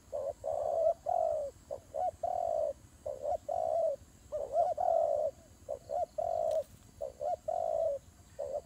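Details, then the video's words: Fighting doves cooing busily, with quick short hollow notes and longer held coos in uneven groups and a brief knock near the end. "God dove Fighting"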